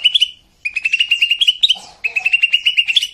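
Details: Greater green leafbird (cucak ijo), a rough-burst training song for captive birds: rapid runs of bright chirped notes, each run about a second long and separated by short pauses, with a lower warbled phrase in between.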